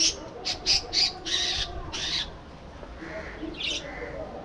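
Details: Budgerigar breeding colony in an aviary: several loud, rapid harsh squawks repeated close together at first, then fainter chattering and a single shrill call later.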